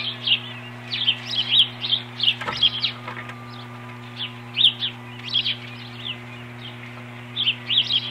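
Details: During nest defence against an intruder on 21 April 2015, an osprey gives clusters of quick high chirps separated by brief pauses, accompanied by a faint click and a constant low hum.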